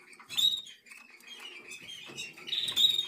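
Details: Black red mosaic jaspe SD canary chick aged 11 days. A squeaky high call opens, then a murmur of soft twittering, and a bright raspy squeal closes.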